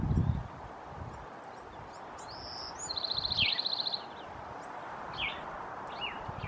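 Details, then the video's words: Bewick's wren singing: a thin high whistled note slides into a rapid buzzy trill lasting about a second, followed by a few short scattered chirps, over steady low background noise. "BEWR singing"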